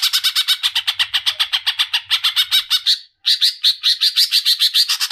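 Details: Leafbird (cicak ijo) singing in continuous 'ngerol' style: rapid, harsh, buzzy notes repeated several times a second in an unbroken run, a brief pause near the three-second mark, then the fast chattering series resumes.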